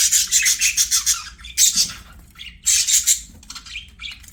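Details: Playing budgerigars give a continuous, fast, raspy warble of chattering notes and squeaky chirps in close-spaced bursts, loud and bright throughout.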